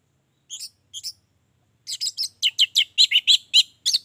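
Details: Orange-headed thrush sings two soft paired chirps, then a fast run of loud, varied, sharp whistled notes, used as a lure to get other birds singing steadily.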